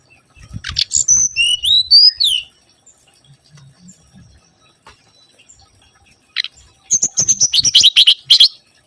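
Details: Mangrove whistler song played as a lure. Rising and falling slurred whistles come first. After a pause there is a fast, rattling burst of high, sharp notes, with faint low thumps beneath.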